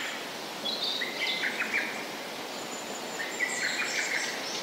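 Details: Japanese paradise flycatcher song: two groups of flat whistled notes that rise and fall slightly, against a steady hiss of background noise.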